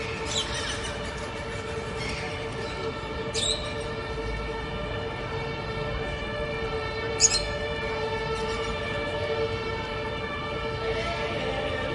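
A steady mechanical drone with layered humming tones, like a passing train or machinery, broken by a couple of brief clicks; no animal calls stand out.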